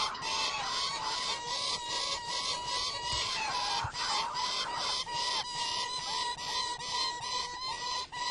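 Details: Gyrfalcon calling in a long run of loud, rasping, evenly repeated cackling notes, roughly two and a half per second, harsh and grating throughout with a few short dips between bursts.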